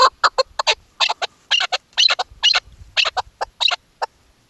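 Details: Female chukar partridge kept for hunting, calling in hunting season: harsh, broad, grating notes in irregular pairs and triplets, separated by short silences, with faint low thumps.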